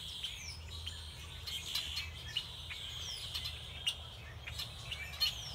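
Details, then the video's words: In February at Beddis Beach on Salt Spring, several songbirds overlap in quick, high chirps and brief whistled sweeps over a steady thin buzz, with a soft low rumble beneath. "Sounds of Song Birds"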